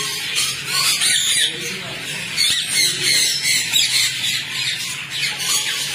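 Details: Massed screeching from a rose-ringed parakeet colony: high, raspy squawks from many birds piled together, swelling and dipping in uneven waves several times a second.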